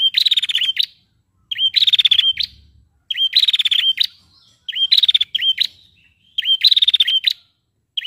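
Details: Calling female prinia, used to provoke males into song: regular bursts about every second and a half, each a rising chip leading into a fast buzzy rattle and upward flick, clear and close.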